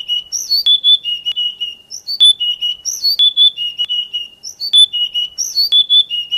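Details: Oriental magpie-robin song meant for training kept songbirds in the morning or evening: a whistled phrase of a high swoop followed by steady level notes, repeated regularly about every 1.3 seconds with sharp clicks.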